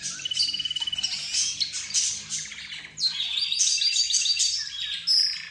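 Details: A gathering of budgerigars, zebra finches, the 'roz' bird and a canary, heard as if conversing; a steady buzzy trill opens, then crowded warbling and high twittering notes overlap throughout.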